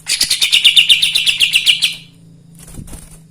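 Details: Kapas tembak in lively, full song, played to rouse other birds: a fast run of about twelve bright, high, chattering notes repeated four times a second for two seconds, then fading into a low hum and soft background noise.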